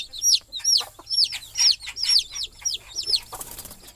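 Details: Chicks peep beside a mother hen sleeping on a perch over the nest at night, the young trying to settle with her; loud, high, falling chirps repeat about twice a second.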